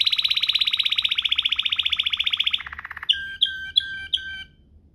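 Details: Waterslager-style rolling canary song used for tutoring: a long high rapid roll for over two seconds, a lower quick trill, then four separate clear whistled notes.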